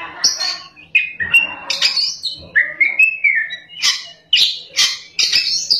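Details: Oriental magpie-robin singing vigorously in rolling style with high shooting notes: buzzy harsh bursts and mid-pitched slurred whistles follow one another in quick, uneven phrases.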